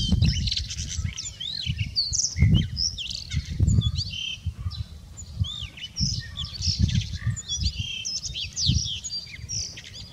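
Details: A male Blue Rock Thrush sings on 24 March 2019 in a lively stream of clear whistled slurs, twisting up and down, interspersed with short chirps. There is a persistent deep rumble and some thumps in the background.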